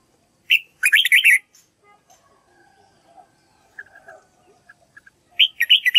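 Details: A Red-whiskered bulbul sings to teach young white-cheeked birds. Two bubbly, warbled phrases of quick rising and falling notes are separated by about four seconds of quiet, faint twittering.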